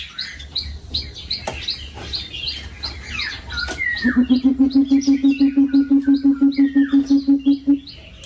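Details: Deep, rhythmic hooting of a coucal calling to its flock in an aviary. Low notes repeat quickly and evenly for about four seconds, taking over after a stretch of busy high-pitched chirping from other small birds.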